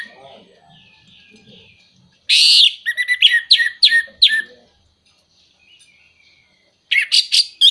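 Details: Orange-headed thrush song, a recording meant to stimulate moulting birds or birds that are not singing: quiet thin whistles, then a loud burst of sharp chirps and descending buzzy notes, a pause, and a final quick series of shrill notes.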